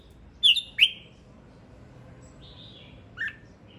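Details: Male red-whiskered bulbul song: two loud, sharply slurred whistled chirps close together, followed by a soft warbled phrase and one brief descending note. A quiet background in between.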